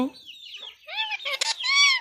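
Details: Indian ringneck parakeet talking: a sliding high-pitched tone, then rasping speech-like syllables and a final sustained, arching nasal word.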